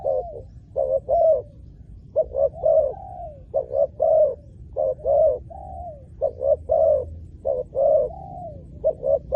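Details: Spotted dove used in luring wild doves, calling in a steady run of low cooing phrases: paired short hoots followed by a drawn-out falling coo, repeated about every two seconds, with a faint background hum.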